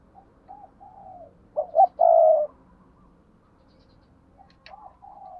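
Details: Spotted dove giving paired cooing ('cu gáy đôi'): soft low coos, then a louder, mellow, slightly descending phrase of clipped notes ending in a drawn-out coo, with faint coos before and after in a quiet setting.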